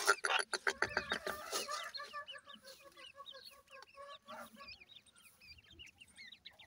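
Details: Young grey francolins, or dakhni teetar chicks, feeding: a dense run of sharp broadband taps at first, then steady strings of high, short chirps, often rising or hooked, repeated several times a second.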